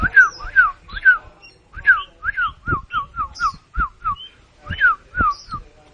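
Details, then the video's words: Kacer, the oriental magpie-robin, puffed up and singing mbagong mbesi: loud, steady series of crisp downslurred whistles, about three per second, mixed with sharp high squeaky notes and brief pauses. "Burung kacer mbagong mbesi jadi balon"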